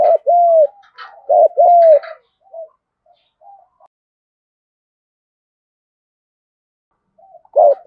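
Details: Spotted dove giving a field-style fighting coo used to lure wild birds: two loud paired coos, each a short note then a longer arched one, a faint trailing note, a long silence, then a final coo starting.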